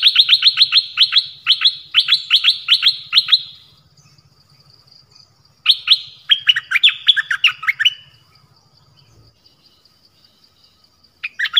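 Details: Nok dok taeng in a 'phleng boen' song meant for young birds to learn. A long burst of rapid repeated chirps, then a pause, then a faster tumbling phrase of slurred whistles. Faint low hum underneath.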